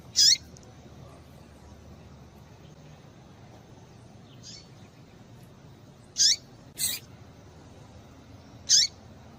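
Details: Calls of a female Double-collared Seedeater, meant to excite males into singing. Brief, high, piercing notes come at irregular intervals with long pauses. One sharp broadband click is heard. Faint background hiss.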